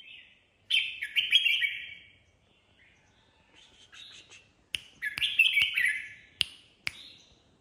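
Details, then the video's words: Red-whiskered bulbul performing improvised ché song: loud, chattering warbled phrases with quieter fragments between them, and a few sharp clicks or snaps toward the end. "Chào Mào của Huấn Xoăn Ché ngẫu hứng"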